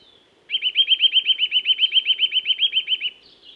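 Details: A Eurasian nuthatch in the woods delivers one rapid, regular trill of about twenty clear, slightly upslurred piping notes, ending in a brief higher squeak.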